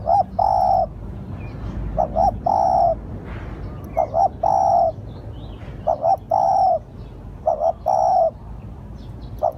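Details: Spotted dove calling as a lure: two quick soft coos followed by a longer drawn-out hooting note, the phrase repeated about every two seconds, with a faint high thin tone and low background rumble.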